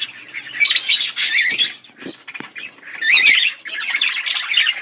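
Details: A pair of pet budgerigars chattering in bursts of busy, warbling, scratchy chirps and squeaks, with brief pauses between, and a light flutter or rustle in the gap.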